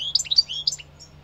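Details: A brief phrase of European goldfinch song: a few quick, liquid, slurred high notes, tumbling up and down, then trailing off, with a faint low hum beneath.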